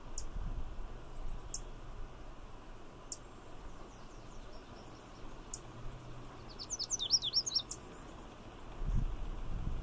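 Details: Lazuli Bunting male perched in poison hemlock at Magnuson Park delivers a brief, high tumbling phrase of slurred notes late on, preceded by sharp isolated chips from a nearby Savannah Sparrow, over a constant low hum.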